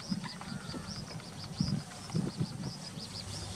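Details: A cinnamon bittern (Ixobrychus cinnamomeus) calls with low, short grunting notes at uneven intervals, under steady, high, rhythmic chirping from insects or another bird.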